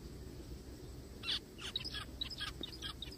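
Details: Zebra finch heard crying in a forest: after a quiet start, a loud nasal call followed by a quick irregular series of short high chirps and nasal notes, over steady low background noise.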